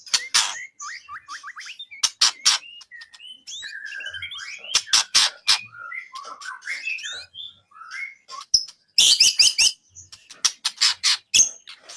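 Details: Contest-training recording of a white-rumped shama: rapid series of sweet whistled slurs, hooked notes and warbles broken by dry clicking and rasping bursts, ending with a dense chattering stretch.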